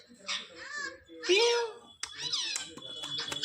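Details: Trained Indian ringneck parakeet talking in a room: hoarse, nasal, human-like syllables, one drawn-out rising vowel, then a jumble of buzzy chatter with a thin steady tone behind it.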